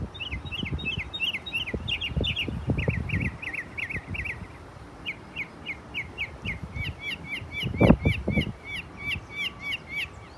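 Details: Mockingbird showcasing its talent, singing a long varied medley: bursts of repeated chirps and sharp upslurred whistles, each phrase repeated several times before switching, over low background thumps and rumble.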